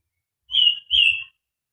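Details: Murai batu (white-rumped shama), in fighter style with full material: two clear, high, drawn-out whistles in quick succession, each slightly falling in pitch, with a quiet background.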